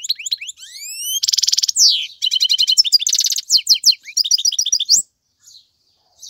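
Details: A male European goldfinch sings to tutor young birds. Rising whistled slurs open into rapid buzzy rattles and tumbling twitters, then the song stops, leaving near silence at the end.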